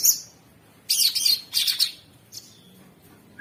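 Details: Sooty-headed bulbul in a rough, nonstop masteran song for training songbirds: two harsh, high chattering bursts separated by a short pause, then a thin whistled note and a brief rising chirp at the end.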